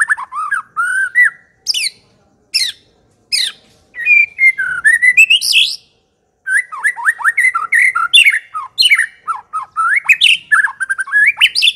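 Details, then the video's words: A white-rumped shama (murai batu) pours out loud, varied song of rich whistles, quick rising sweeps and harsh chattering bursts broken by brief pauses, used as a lure recording to draw wild shamas into answering. "memikat murai batu AGAR LANGSUNG NYAUT dan GACOR"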